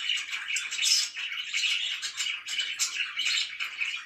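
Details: Pet budgerigars chatter in the morning, a continuous buzzy, scratchy warble of mixed chirps that swells and dips without pause.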